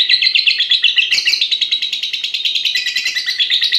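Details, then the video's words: Fighter-class lovebird, six and a half months old, singing in a competition-style bout. Harsh, fast chirping notes run in a continuous stream, with a brief sharp burst around the first second. "Love bird paud fighter durasi mewah 1menit up"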